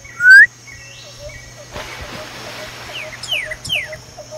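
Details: Desert near Tucson, a male Pyrrhuloxia calling for his mate: a loud upslurred whistle opens, followed by softer rustling and three or four high descending whistled slurs.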